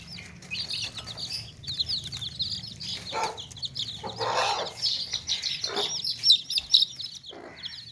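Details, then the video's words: Baby chicks in a tokri basket give a continuous chorus of high, quick peeps that overlap steadily, mixed with a few lower clucking bursts from hens and rustling noise. "Baby Chicks Chirping Sounds In Tokri | Chicken's Chicks Sounds and Chickens Clucking Sounds"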